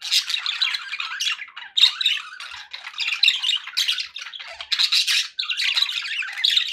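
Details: Happy budgies chirping and chattering as pets, a busy stream of raspy squawks, quick chirps and warbled notes in short bursts separated by brief gaps.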